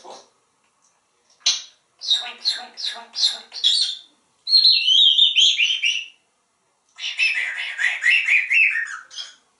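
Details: Talkative pet African grey parrot, hatched 15 June 1997, living indoors in a home in Texas, doing sound effects of water, raspberries and a grackle: bursts of high rapid clicky chirps, then a long warbling whistled run, then a buzzy squeaky chatter.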